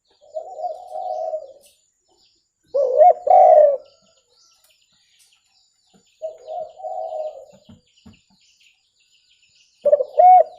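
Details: Spotted dove cooing suitable for bird luring: a repeated pattern of a mellow purring coo followed by a stronger, accented phrase, with about two seconds of quiet between pairs.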